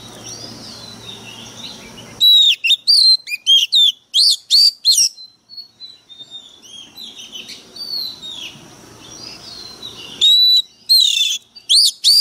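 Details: White-rumped shama used as a lure bird, fired up and singing fiercely: loud bursts of sweeping whistled notes and sharp rapid phrases, interrupted by a stretch of quieter, more distant warbling with a low steady hum in the background.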